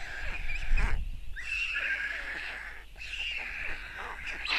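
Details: White storks at a nest in Tukums, Latvia, on June 13, 2022, with the father feeding four chicks. Harsh, wheezy buzzing calls come in long drawn-out bursts, broken by short pauses, with low wind rumble at the start.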